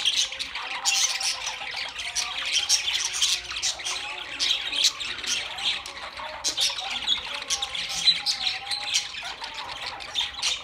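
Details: Group of budgies keeps up rapid, buzzy squawks and chirping warbles, dense and overlapping, with occasional thin whistled notes.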